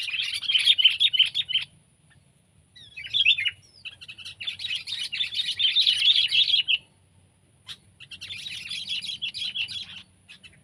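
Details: Sooty-headed bulbul, pet or wild: three long runs of busy, high chirping twitter separated by brief pauses, the notes tumbling quickly with no steady beat.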